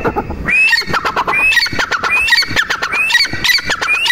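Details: Female teetar, or grey francolin, giving sharp upslurred whistles roughly every second over a rattling, clicking base of rapid notes.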